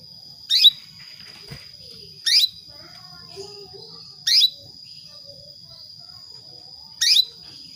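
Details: Female Atlantic canary calling a male to trigger breeding: four short downward-sweeping chirps spaced about two seconds apart, clear against a steady high whine and quiet low background noise.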